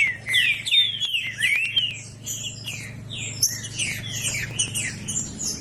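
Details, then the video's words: Green-winged saltator in strong song to stir a silent bird. Bright slurred whistles come quickly at first, then blur into fainter overlapping notes and high chirps above a low steady hum. "TRINCA FERRO CANTANDO FORTE PARA ESQUENTAR TRINCA FERRO FRIO"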